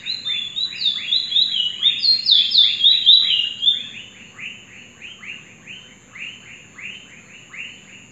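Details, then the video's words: A Trinidad bullfinch, recently out of molt, sings at night a bright warbled run of high notes, then a fast steady series of down-slurred chips about four per second, over a faint constant high whine. "Trini Bullfinch "bullet train""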